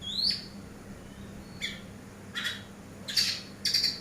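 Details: Eurasian tree sparrow used as a master bird for training other birds: five short, harsh chirps at irregular intervals, one an upward-flicking note, the rest broad buzzy bursts, over a quiet steady hum.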